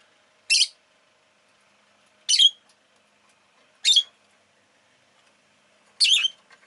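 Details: Four piercing, buzzy chirps from a rosy-faced lovebird, evenly spaced about every one and a half to two seconds, each call brief and bright.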